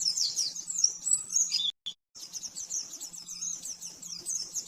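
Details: Rapid master song of an oriental white-eye for caged-bird training, 'nembak' style: high, thin twittering phrases, cut by a brief silent gap, then resuming as a steady shimmering chatter over a faint hum.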